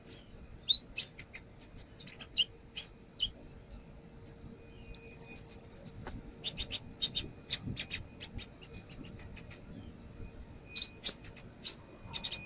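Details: Lure recording of a brown-throated sunbird in full song displaying its fill-in phrases: scattered high ticks, a pause, then a rapid trill of repeated thin notes, dense chattering bursts, a quieter stretch and more ticks.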